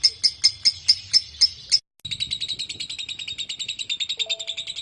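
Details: A lovebird, in a lure recording for prompting ngekek, gives several sharp high chips. After a brief silence comes a fast, continuous shrill chatter. A faint tone sounds near the end.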